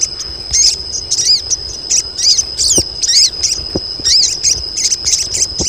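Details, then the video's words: A colony of female crested jays gives calls meant to draw males: dense bursts of high, bent chirps and whistled arcs, roughly twice a second, over a steady piercing tone and occasional low thumps. "KOLONI SOGON BETINA || SOGON JANTAN LANGSUNG BUNYI"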